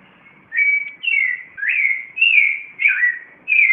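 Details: Clay-colored thrush (Turdus grayi), Costa Rica's national bird, singing at 4:45 AM in Cartago: clear, fluting whistled phrases about half a second long, each slurring up or down, delivered almost back to back in a quiet setting.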